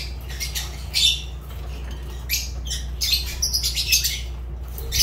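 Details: Fischer's lovebirds kept as pets, giving sharp, harsh high chirps and squawks in scattered bursts over a steady low hum.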